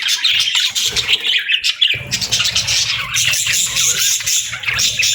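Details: Budgie chatter, many overlapping chirps and warbled squeaks, with a faint low hum underneath after the second mark.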